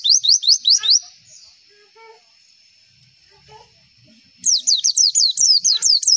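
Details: Javan white-eye lure song meant to make other white-eyes respond: bursts of quick, high, rising whistled notes at the start and end, separated by a pause with a thin steady tone and faint scattered low chirps.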